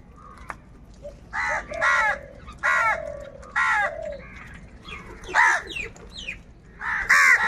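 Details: Several crows fighting for food call loudly, a rapid run of harsh, raspy caws from overlapping birds, about seven or eight in seven seconds, some higher and more strained near the end.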